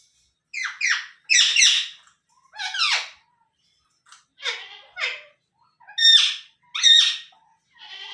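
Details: Young Indian ringneck parrot uttering loud, rasping squawks in short bursts, often paired, with brief pauses between groups.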